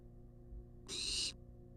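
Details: A single rasping, broadband hiss of about half a second from a wild barn owl demanding food inside a nest box on a live camera, with faint background hum.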